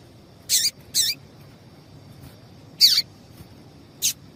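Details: Female double-collared seedeater calling, used to excite males for singing contests: four short, high, sharply falling notes, two close together, a pause, then two more, over a faint steady background hiss.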